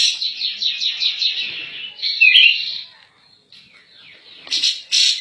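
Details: Cak jenggot, the grey-cheeked bulbul, singing a 'gacor nembak' master song for training other birds: a quick run of repeated high chattering notes, a loud bright burst, a near-silent gap, then sharp clicks and a last shrill phrase.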